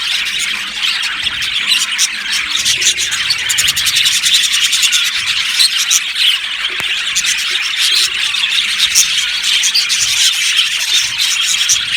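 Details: Budgies chirping as a group in a long, busy stream of squeaky twitters and rapid clicking chirps, densest during the first half.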